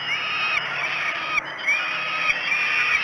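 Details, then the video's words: Falcon chicks at Great Spirit Bluff wailing for food at an early-morning feeding on 5 June 2016; continuous grating screams with rising, curved notes, voices overlapping almost without pause. "Breakfast 3. Great Spirit Bluff Falcons."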